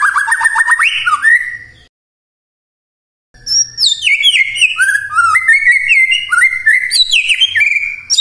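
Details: Morning white-rumped shama song meant to lure quiet shamas into answering: a fast rippling trill, a pause, then a rich varied stream of sweeping whistles jumping between high and low pitches.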